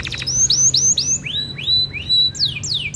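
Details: Canary with a rich cengkok delivering clear, sliding whistles: up-swept notes then long level tones and swoops, spaced and pure, with a faint low hum beneath.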